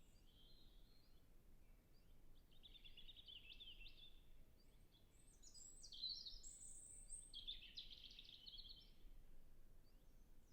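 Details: A European robin in a nature reserve in early spring in a temperate climate sings a few high, tinkling, warbled phrases of varied pitch with brief pauses between them, over a steady low rumble of background noise.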